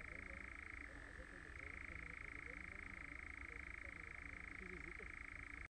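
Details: European nightjar giving a continuous, even mechanical churr at a fairly high pitch, the pitch briefly dropping then returning, running unbroken to the end over low background rumble.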